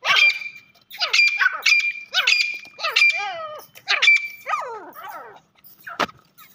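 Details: Irani francolin calling: a series of harsh, harmonic-rich notes in short bursts about every half second, with a steady high whistle-like tone under several bursts and a sharp click near the end.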